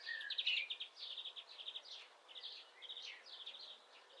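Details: Common starling in mid April, planning to occupy a woodpecker's nest hole, sings a busy high jumble of clicks, rattles and squeaky whistles, with a brief lower whistle near the start and no real pauses.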